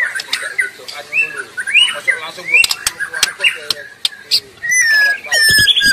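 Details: Wild white-rumped shama singing lively in its natural habitat: a busy, varied run of clear rising whistles and short chirps, with sharp clicks and other overlapping bird notes in the background.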